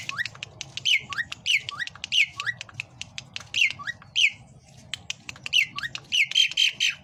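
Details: Varied Asian pied starling singing, a species noted for mimicking people: a scratchy run of squawks and rising slurred notes repeated quickly and irregularly, with a faint low hum behind.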